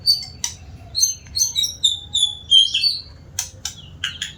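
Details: A white-rumped shama that sings often, giving a quick run of clear, high whistled notes, some sliding and some swept, followed by several sharp, harsh clicking chips near the end.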